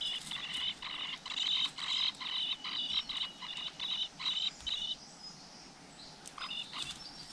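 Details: Flowerpecker at its nest with chicks, outdoors in nature: rapid series of short, high, chippy notes in quick bursts, then a pause and a few more thin calls.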